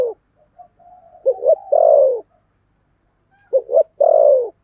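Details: Two cooing phrases from a decoy spotted dove, 'thổ' voice style: each opens with two brief, bouncing notes and ends in one long, deep, falling coo, with quiet murmuring before the first phrase.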